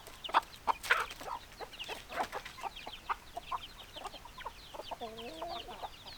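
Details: Backyard chickens clucking in quick, irregular bursts, with several louder notes early on and a short pair of drawn-out, wavering calls near the end over faint background noise.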